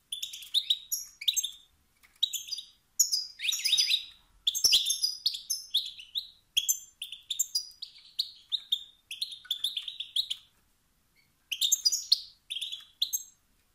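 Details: European goldfinch, male, uttering rousing calls that provoke other males' competitive instinct to sing. Lively twittering rattles and sharp chirps pour out in frequent bursts, with one brief silence near the end.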